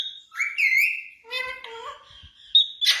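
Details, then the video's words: Talking Indian ringneck parakeet mimicking Urdu/Hindi speech: a clear whistled tone slides into a rising, nasal word, then a buzzy harmonic phrase, finishing with a sharp squawk. "Best talking indian ringneck parrot | parrot talking in urdu hindi"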